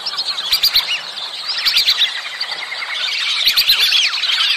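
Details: A flock of whistling ducks in mating season keeps up a dense chorus of high, thin whistles, many overlapping and slurred, with a few soft low thumps in between.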